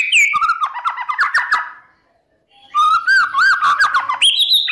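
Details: White-rumped shama lure song, sung in the morning to provoke other shamas and build contest birds' spirit: jumbled warbled and whistled notes, a pause of under a second, then a richer run of looping whistles.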